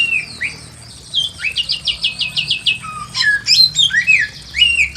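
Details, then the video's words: Pekin robin in full song in a simple aviary: opening whistles lead into a run of about seven repeated clear notes, followed by lively varied warbling phrases with high sweeping whistles. "KICAUAN BURUNG SAMYONG GACOR SUARA ASLI ALAM LIAR DI KANDANG AVIARY SEDERHANA"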